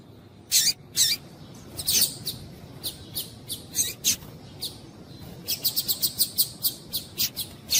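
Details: Calls of a female double-collared seedeater used to stir males into song: bright, high chirps in irregular bursts, building to a quick regular series of tweets toward the end, over faint low hum.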